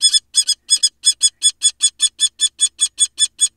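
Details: Wild female common kestrel defending her nest box and egg against a larger male barn owl: a rapid series of harsh, shrill, evenly spaced kee notes, about five per second.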